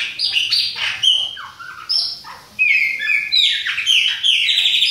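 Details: Song of a Bahian-type Chopi blackbird, a dense run of sharp whistled notes and descending slurred phrases, then a more sustained, sweeping, warbled passage toward the end.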